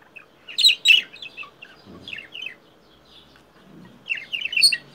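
A budgerigar chatters in quick, bright warbles, with a couple of low, hoarse notes meant to copy a crow.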